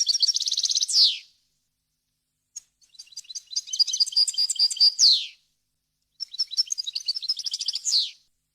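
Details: European goldfinch singing wild-style varied song for training chicks: three twittering phrases of fast high notes, each finishing with a downward buzzy slur, separated by short silences.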